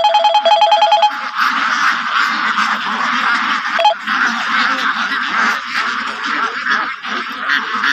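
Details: White Pekin ducks on a farm: a dense, continuous chorus of overlapping harsh quacks from many birds. A rapid series of electronic-sounding tonal beeps opens the first second, then the quacking flock fills the rest.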